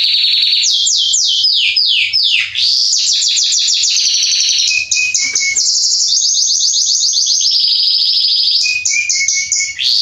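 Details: Male Belgian canary, salsa type, singing continuously as a warm-up song: rapid trills and repeated descending whistled notes around high pitch, then long buzzy rolling tours and quick chattering phrases, loud and unbroken throughout with a faint low hum beneath.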